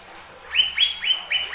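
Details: Lesser green leafbird song meant to provoke other birds to sing: four loud, clear whistled notes, each rising then falling, repeated about every quarter second.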